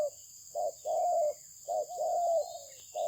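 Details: A spotted dove of Malaysian stock delivers a mellow coo phrase: short notes leading into a long, level, slightly falling coo, then repeated. A faint steady high-pitched hum runs throughout.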